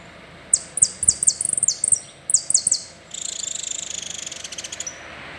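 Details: Saffron finch singing the full song style called "el rollo": a quick series of high, sharply falling whistled notes in two bursts, followed by a fast, even, buzzy trill lasting about two seconds.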